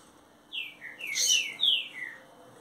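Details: Captive green-winged saltator, a newly arrived bird kept for 30 days, singing in the mansarrão style: a run of loud whistled notes sliding down in pitch, four slurred phrases over two seconds, with high thin chirps from another bird above.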